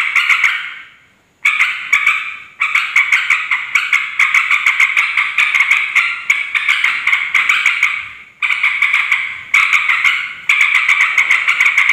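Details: Sooty-headed bulbul in a noisy, agitated song played as a lure to provoke other bulbuls into responding: a dense, fast stream of chattering, bubbly notes held without pause for long stretches, broken by brief gaps near the start and end.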